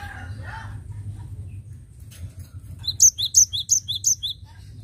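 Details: Cinereous tit singing, used as a lure for catching birds: a quiet start with faint low murmurs, then a loud run of about eight high, clipped, evenly spaced notes over a steady low hum.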